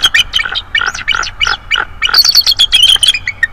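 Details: A bald eagle subadult, thought to be three to four years old, calls at a nest site on 19 December 2022. It gives a dense, excited stream of high, piping, slurred chitters, rising and falling, with a few soft wing sounds.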